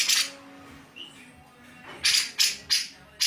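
Grey-cheeked Bulbul giving harsh, rasping squawks: one long burst, then four short ones about every third of a second, over faint room hum.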